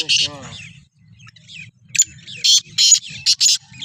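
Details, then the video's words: Black francolin (kala teetar) being prepared for chakri, kept among other francolins: after a short spoken word, a rapid burst of harsh, grating, scratchy notes in a tight group, over a steady low hum. "Kala Teetar ki Chakri ki Tyari 2024 | چکری کی تیاری |Black Frankoline"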